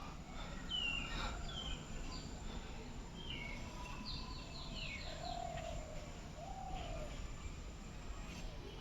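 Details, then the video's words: A dove gives a couple of low, soft, hollow coos near a large tree by a madrasa playground and fields in cool, windy weather; other small birds chirp and twitter higher over a steady wind rumble. "সবাই মনে হয় ঘুঘুর ডাক শুনতে পাচ্ছেন।"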